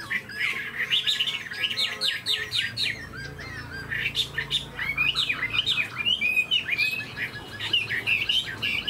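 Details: A tame, spread-tailed Chinese hwamei kept as a cage bird delivers a loud run of fast stuttering notes, then a string of bright up-and-down whistles, full and unbroken.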